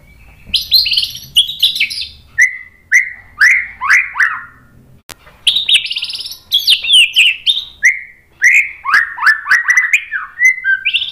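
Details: Lure recording of a white-rumped shama, meant to excite birds into singing back: varied rich song of clear whistles, falling slurred notes, sharp clicks and quick high flourishes in a continuous stream.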